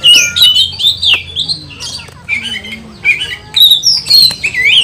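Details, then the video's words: Agitated oriental magpie-robin singing in an over-emotional 'kanibal' style meant to provoke other magpie-robins: rapid, varied whistled and scratchy phrases, sliding up and down, with a dense stream of short notes and brief pauses. "Kicauan kacer kanibal, mbagong, salto, over emosi bikin kacer lain tambah emosi dan gacor"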